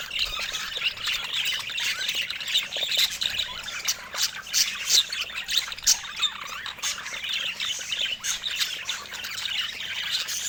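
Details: Long stretch of budgerigar flock noise, a continuous hiss-like mass of high chirps and scratchy squawks with frequent sharp clicks.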